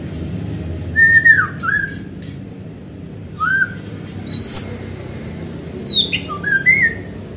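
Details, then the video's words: White-rumped shama song meant to spur other shamas to sing: sweet downslurred whistles alternating with very high, thin upswept notes, separated by short pauses over a quiet hum. "Murai gacor cepat memancing bunyi"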